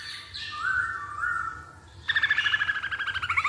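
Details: Masked laughingthrush song used as a lure to get other birds singing: smooth drawn-out whistles sliding downward, then a burst of rapid, rippling, repeated notes.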